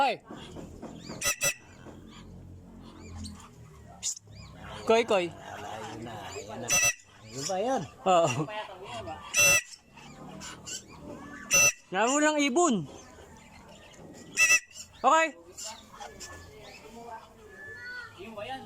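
A cockatiel gives harsh, wavering harmonic calls in short bursts, with a human voice in the background.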